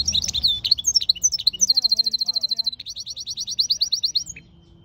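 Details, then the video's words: A European goldfinch × canary mule sings a bright, high warble of twittering notes that breaks into fast, even rolls and trills of rapidly repeated chips. "European Goldfinch mule singing"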